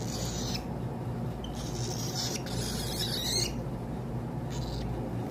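A cockatiel gives harsh, breathy hisses in short bursts, warning that it does not want to be touched.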